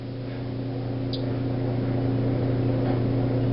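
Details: A steady low mechanical hum with broadband noise, like an engine or appliance running, and no animal voice.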